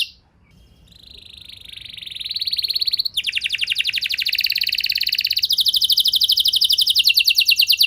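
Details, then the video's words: Canary singing long and continuously as a lure to get other canaries singing: a quiet start, then a buzzy sustained trill that switches abruptly into a faster rolling trill, with another change of tour near the end. "Bakal Terpancing Jadi gacor Panjang Burung Kenari Lain Segala Kondisi! Ikut Gacor Pasti Ngeplong"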